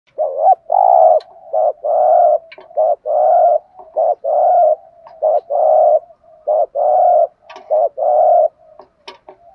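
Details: Spotted dove giving its lure call, used to attract other doves. Mellow hollow coos come in a steady stream of short and longer notes, roughly two to three each second, on a quiet background.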